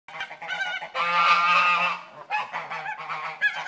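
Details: Angry goose giving harsh, raspy honks: two short blasts, then one long grating honk lasting about a second, followed by choppier broken honks.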